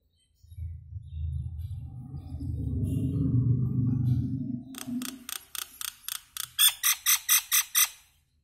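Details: Singing common myna: a low, throaty gurgling drone builds and fades, then gives way to a rapid series of loud, harsh, evenly spaced chattering notes that grow stronger before stopping.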